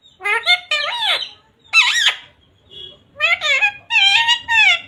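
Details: A parrot imitating speech, known for "radhe radhe", "jai shree ram", "sita ram" and "mummy papa"; several shrill, rapid word-like bursts separated by short pauses, with a faint low hum beneath.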